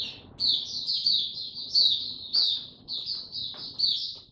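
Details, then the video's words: Recorded 29 April 2022, a white-eye without health supplements pours out a lively high chattering warble in linked phrases, with slight background rumble. "Mata Puteh Hercules buka sing"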